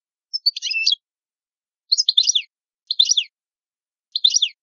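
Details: Goldfinch from Italy repeating short, dense twittering phrases of tinkling, buzzy notes about once every second, with silences between them.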